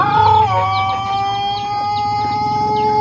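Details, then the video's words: Long crow of a Pelung chicken from Plered, Purwakarta Regency: a louder opening burst, then a thin, steady, drawn-out tone held for over two seconds over a low background rumble. "Kompilasi Suara Ayam Pelung Plered (A.P.P) Istimewa"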